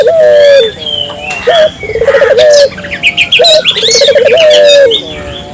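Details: A Barbary dove, vocal and lively, used to stir local doves into calling: deep trilled coos with a short clipped lead-in and a long level tail, repeated twice, under a chorus of high chirping birds.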